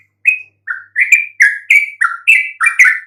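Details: Yellow-vented bulbul song used to draw answers from silent bulbuls: a short phrase of bright, whistled chirps, spaced at first and then coming faster and louder.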